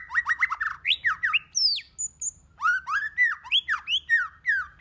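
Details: Many-voiced song of a white-rumped shama, played to excite other shamas to sing: a dense, fast stream of swooping, chattering phrases, a brief high whistled pair midway, then more rapid rising and falling notes.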